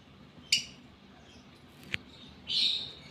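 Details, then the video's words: Lovebird in breeding condition, in the gara state, giving a short sharp chirp, a brief click, then a longer, high, squeaky twittering phrase. "Love Bird GARA Birahi Bunyi"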